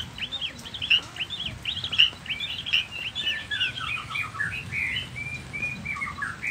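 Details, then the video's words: White-rumped shama, Nias 'noktah' variety, singing a rich, varied song to stir other shamas into responding: a dense stream of bright whistled phrases, looping and repeated, slowly shifting lower toward the end. "Murai batu nias noktah gacor isian dengarkan suara ini 30 detik murai batu lain akan nyaut seketika"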